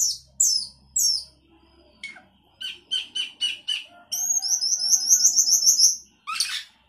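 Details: Singing sooty-headed bulbul with isian fill-ins: thin high slurred whistles, a run of five evenly spaced clipped notes, then a fast series of high rising whistled chirps and a final harsh buzzy burst; low hum at the start.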